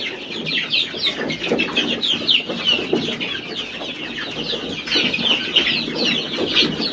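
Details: Many chicks with a hen, keeping up a dense, continuous chorus of high, thin peeps that sweep downward, overlapping without pause, over soft lower clucking and murmuring throughout the seven seconds.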